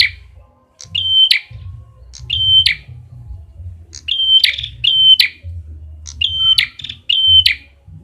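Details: Lure sound of the red-headed prinia: level high whistles closing with a crackling buzz, given singly and in quick pairs, with short gaps between, over a faint low hum.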